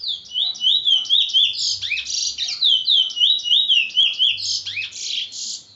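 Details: Bullfinch from Trinidad delivering loud, rapid high warbling song: looping whistled notes rising and falling, about four pulses a second, continuous and clear with a faint low hum beneath.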